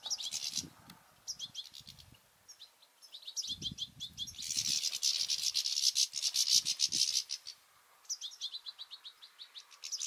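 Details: Goldfinches and their juveniles fighting at a garden feeder; fast twittering chirp runs interrupted by a loud harsh rasping burst, with soft low thumps and knocks underneath.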